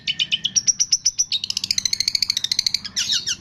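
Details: Long-tailed shrike training recording with mimicry of cililin, greja tarung, lovebird, tengkek and kapas tembak: fast, even trill of bright high pips speeding into a rattling run, ending in a harsh burst.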